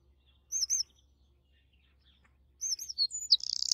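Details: Eurasian wren at the nest giving two quick high whistled notes, then after a two-second gap a run of high notes leading into a fast buzzy trill that cuts off abruptly.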